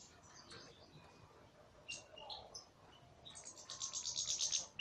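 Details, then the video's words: A European goldfinch sings salaka style. Quiet scattered chirps and a couple of brighter tinkling notes lead into a loud, fast, rattling trill of clipped high notes at the close. "مقطع رائع لطائر للحسون فى السلاكة"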